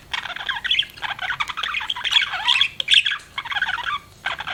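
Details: Pet budgerigars chirping in bursts of rapid, scratchy, warbling twitters with short high squeaky notes, pausing briefly between busy stretches of chatter.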